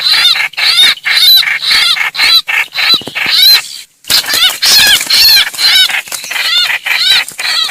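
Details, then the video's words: A trao trảo bird's alarmed cry for help, summoning its flock and used as a lure for greater coucals: frantic, harsh arched squeals repeated rapidly, broken by one clear gap midway. "tiếng chim trao trảo kêu cứu gọi bầy"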